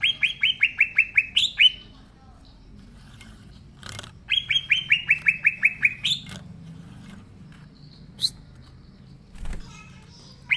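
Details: Green leafbird singing vigorously in its natural voice, offered to prompt leafbirds that have not started singing: two fast bursts of about eight ringing, downward-sliding whistles, separated by pauses with a few scattered clicks.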